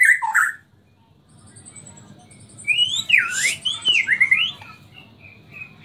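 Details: Murai Borneo white-rumped shama, Samarinda, song in nyangkul and roll tembak style: a loud opening phrase, quiet pause, then looping swooping whistles that rise and fall, with faint thin high notes behind.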